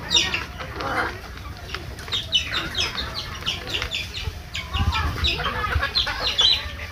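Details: Deshi native chickens on a farm, grown to one kilogram in 85 days; many birds give bright, rapid, high-pitched calls in dense clusters, over a faint low rumble.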